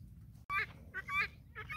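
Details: A flock of farm-raised guineafowl following a hen, giving three harsh, nasal, honking calls in quick succession with a steady low background rumble.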